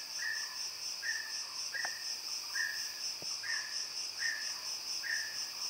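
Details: Mountain peacock-pheasant (Polyplectron inopinatum) giving short, flat mid-pitched call notes repeated about every second, over a steady high insect drone.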